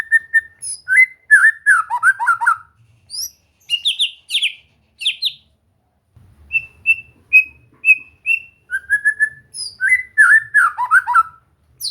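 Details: White-rumped shama singing for relaxed training so a bird starts to sing and become gacor; varied whistles, slurred descending trills and high sharp notes, a brief gap, then repeated even whistles into a tumbling fast phrase.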